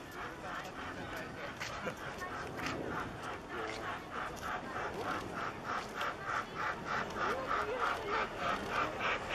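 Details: A female Daurian redstart at Kasai Rinkai Park gives a steady run of short, dry clicking calls, about three a second, over soft background noise; recorded 30 November 2014.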